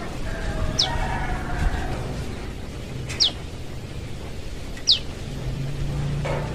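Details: A young forest prenjak lumut prinia calls for its parent: three thin, sharply falling high notes about two seconds apart over a low, steady background rumble.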